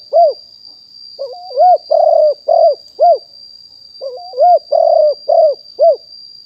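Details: Spotted dove, a fully wild-stock decoy bird recorded live in 2021, used to provoke and call in wild doves: two cooing phrases, each a short wavering lead-in note followed by four rounded, hollow coos, the last one clipped. A steady faint high whine runs throughout.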